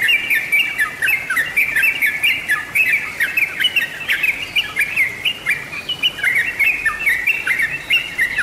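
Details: Lure recording of sooty-headed bulbul singing: lively, liquid chatter of quick whistled notes in rolling phrases that repeat without pause, accompanied by rapid high ticking clicks throughout.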